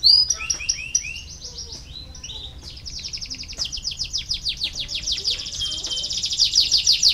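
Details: Canary singing to stir reluctant canaries into song: varied high whistled phrases and short sweeps flow into an extended, rapid, high rolling trill that grows louder toward the end.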